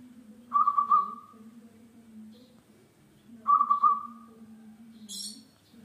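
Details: Local zebra dove singing actively, used as a lure to make other birds sing: two short trilled, pulsing coos about three seconds apart, each trailing off, over a steady low hum, with a brief high chirp from another bird.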